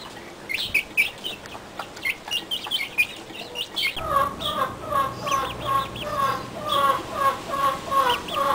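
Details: Backyard chicken flock in a pen: scattered high chirps through the first half, then a steady run of rhythmic clucks repeated about twice a second.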